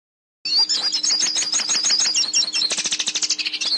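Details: Hooded siskin song used to teach a captive bird to sing: after a brief silence, a rapid, continuous high twittering of sweet, wavering notes and trills, with a faint steady electrical hum underneath.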